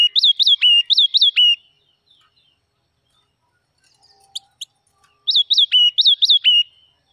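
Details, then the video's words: Forest red-whiskered bulbul in song: two rapid phrases of bright, bouncing whistled notes that rise then drop, separated by a quiet gap of about four seconds with a few faint high clicks. "Chim chim mào rừng hót cực kì"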